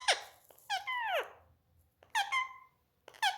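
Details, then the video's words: Pet Indian ringneck (rose-ringed parakeet) talking, imitating words like "mummy papa": four short, squeaky, sliding bursts, the longer ones falling in pitch, about a second apart in a quiet room. "Indian ringneck parrot voice"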